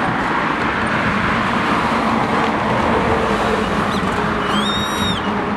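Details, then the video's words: Grey-faced buzzard in Oyama city, Tochigi, Japan, giving one short, high, slightly rising whistled call after a faint note, over steady traffic roar. "Grey-faced Buzzerd call"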